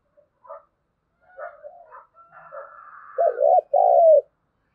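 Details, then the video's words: After scattered faint soft murmurs, a spotted dove delivers a loud, clear "thúc gù" coo, a quick short note and a longer warm sustained one, meant to stir wild doves into answering. "Tiếng cu thúc gù hay bổi nghe ức chế gáy theo cả ngày"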